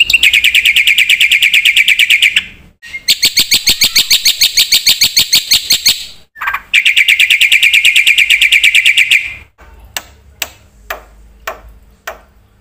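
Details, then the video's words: Black-winged myna's chatty full-filler song: long, dense trills of high, bright chirps in two main bouts with a brief rising note between, fading into scattered, spaced sharp clicks. "suara burung jalak putih gacor full isian"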